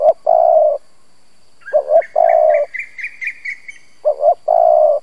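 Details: Spotted dove kept as a decoy to stir up rival doves, giving repeated coo phrases of two quick notes and a long held coo, while another bird adds a run of high twittering chirps between phrases.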